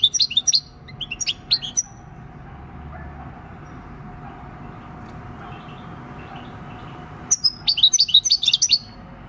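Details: European goldfinch, six years old and wild-caught, giving "El Carbonero" countryside song on 26 December 2019: short twittering bursts, a long quiet gap, then a renewed quick jingling phrase.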